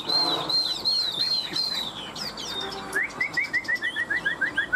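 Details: Caged Chinese hwamei, one of two tame birds kept three years, in fighting-style song: loud clear sliding whistles, then a fast series of about a dozen short down-slurred notes repeated roughly four times a second.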